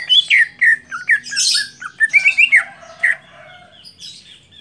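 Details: A greater green leafbird at the start of its first song competition pours out a fast, varied run of bright whistles, slurred chirps and harsh squawky notes, with short pauses between bursts; close and slightly roomy.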